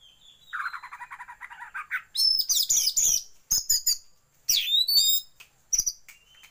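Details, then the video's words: Lure track for training Oriental magpie-robins to open the tail, with white-rumped shama filler: a quick trill of mid-pitched rattling notes leads into loud, varied high whistles and sweeping notes with brief gaps. "pancingan kacer buka ekor"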